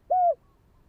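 A spotted dove gives a single mellow, steady coo about a quarter-second long, dropping slightly at the end, followed by quiet.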